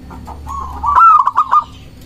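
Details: Local zebra dove song used to provoke rival doves. A few soft, low notes build into one loud phrase: a rising, sliding note followed by four short, clipped, bouncing notes.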